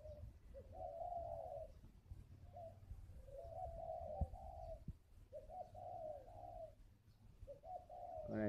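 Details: Cooing spotted dove at a Vietnamese breeding farm, a bird that has just finished a bout of cooing: repeated low, rolling coo phrases in an uneven rhythm, about one every second, over background hum, with a raspy burst closing.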